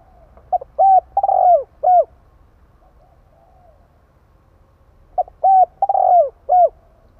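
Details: Spotted dove giving its calling phrase to lure wild doves. Two identical mellow phrases about four seconds apart, each with a short pickup note, a steady coo, a stuttered downslurred coo and a closing hoot, with near silence between.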